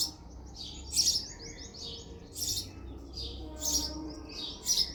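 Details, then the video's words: House sparrow chirping, a series of short bright chirps in bursts about every second, with a low steady hum underneath. "House sparrow sound effect"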